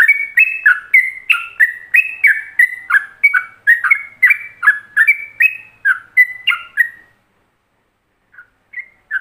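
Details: Yellow-vented bulbul in ropelan style, recorded as a master song for imitation by other bulbuls: about seven seconds of rapid whistled notes jumping between pitches, then a pause and a few scattered notes.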